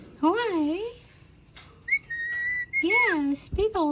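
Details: Angry Indian ringneck parakeet giving wavering, warbling harmonic notes that dip and rise, broken by a flat, steady high whistle, then more wobbling notes, indoors.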